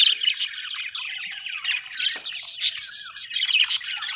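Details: Budgies in happy chatter, mixing wavering whistled notes, scratchy squawks and a few loud bright chirps over a steady twittering background.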